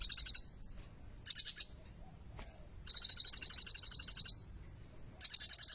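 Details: A sunbird with imitated ciblek (prinia) song material, used as a tutor for silent sunbirds, sings high, thin, rapid buzzy trills in bursts of half a second to one and a half seconds, separated by short pauses.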